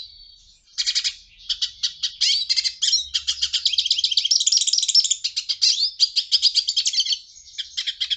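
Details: After one short opening note, a hooded siskin delivers a long, unbroken run of rapid chirps, trills and buzzy twitters lasting about six seconds, in a clean, quiet setting.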